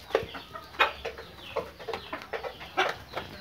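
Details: Fayoumi chickens of Pakistani stock, known for daily laying, with sharp, separate clucks spaced about every half second and some drawn-out tonal squawks between them.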